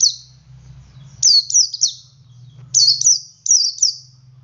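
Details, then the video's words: Male Oriental white-eye performing ngalas song to prompt other white-eyes to sing: two phrases of three bright, high-pitched notes that drop steeply in pitch, over a quiet low hum. "Suara Burung Pleci Jantan Ngalas Memancing Pleci Lain Ikut Ngalas"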